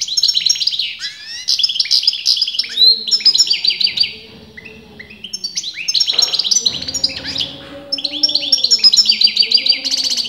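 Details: European goldfinch, its sex disputed by top breeders, sings long runs of high, rapid twittering and jangling notes, with a low wavering tonal sound underneath in the middle passages.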